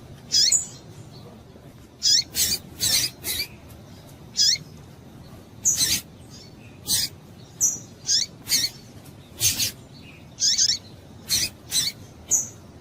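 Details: Female Double-collared seedeater in breeding condition, calling to get males singing: a long run of short, high, downward-slurred chips mixed with harsh, noisy bursts, often in pairs or triplets, irregularly spaced over thirteen seconds above quiet hiss.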